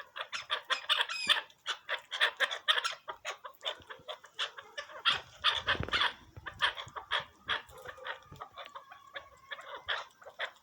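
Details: Partridge, described as Pakistani, calling in a rapid run of raspy, chattering chuk-like notes that rise and fall in loudness for ten seconds, with a brief low rustle midway.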